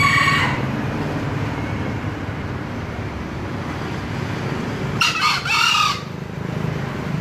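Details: Green junglefowl giving a brisk, rasping two-part crow near the end, after the tail of an earlier crow at the start; a constant low droning noise runs underneath.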